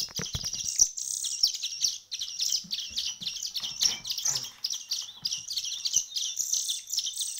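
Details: Hand-reared bird chicks, one week into hand-feeding, keep up dense, shrill, scratchy chirping from several young at once, almost without pause.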